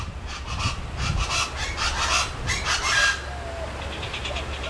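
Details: A chachalaca at Quinta Mazatlan in McAllen, Texas, in the Rio Grande Valley, gives loud, harsh, grating calls in a quick run of raspy bursts, several each second, with faint background noise and murmuring voices.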